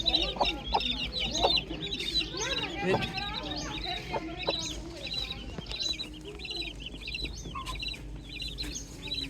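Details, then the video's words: Young chickens on a farm at morning, many high thin peeps repeating irregularly over a low ambient hum, with scattered clicks and some softer, lower sounds in the middle. "Calm Chick Chirping Sounds"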